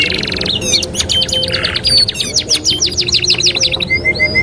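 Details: Canary singing as a master song for training young birds: quick descending chips in a rolling trill, then short high whistled slurs and a pure repeated piping note at the end.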